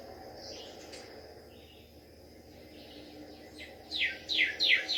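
A cardinal sings a quick run of bright, down-slurred whistles, about three in under a second, after a few faint, soft notes over a low background hiss.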